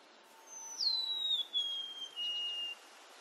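A golden-crowned sparrow sings three clear, plaintive whistles, each a step lower than the last, over soft background hiss.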